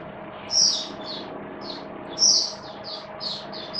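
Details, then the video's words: Soft, high warbling phrases from a caged Oriental white-eye in rainy weather, 8 October 2022, a few brighter notes standing out over a steady background hum. "Mata Puteh Buka Sing Raja"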